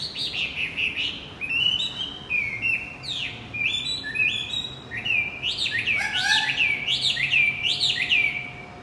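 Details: Javan white-eye song meant to restart a silent male's singing: a lively run of sharp, downslurred chirps and bright twitters, quickening and piling up toward the close.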